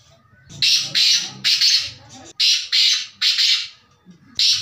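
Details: Black francolin (kala teetar) calling with loud, harsh, grating bursts, spaced in pairs and threes, six strident notes in under five seconds, with faint low rumbling between them.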